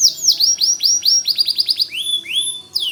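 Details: Lively white canary song with a quick series of high down-slurred notes, about five a second, ending with two longer rising whistles.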